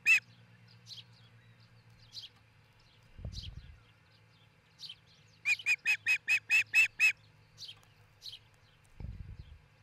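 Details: Before sunrise on 22 June 2018 at a Montana osprey nest near Charlo, scattered high chirps give way to a fast string of about eight loud whistled cheeps, with low bumping thuds at the nest.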